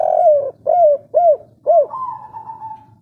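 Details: Spotted dove with a local wild three-note coo gives a quick run of soft, mellow hoots, each slightly falling, ending in a longer drawn-out coo, with a faint background murmur.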